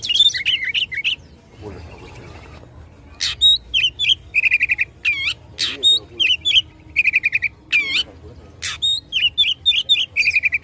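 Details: Oriental magpie-robin in combative song to provoke rivals, bursts of sharp upswept whistles and short rattling trills; a brief low murmur, possibly voices, early on.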